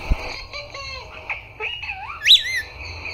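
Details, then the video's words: Talking parrot with a sequence of thin, even tones stepping in pitch, then a quick rising slur into a loud high squeak, as it tries "Papa" and "Mummy" in a quiet room. "mitthu talking Mummy Papa"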